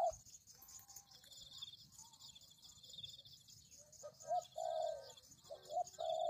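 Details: Spotted dove lure recording. Faint, scattered murmurs give way to clear hollow coos in the last two seconds, in short and drawn-out notes, over a constant high-pitched background hum.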